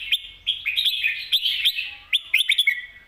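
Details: Red-whiskered bulbul singing lively 'mae bot' master-song phrases: rich warbled, bubbling notes around two to four thousand cycles, delivered in quick bursts with short pauses, the last burst a rapid run of accented chirps.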